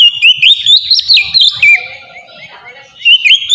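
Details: Ngeplong-style song of an Oriental magpie-robin, a lure for young birds: clear fluting whistles that step up and down with quick chips, fading to a soft warble midway before strong whistles return.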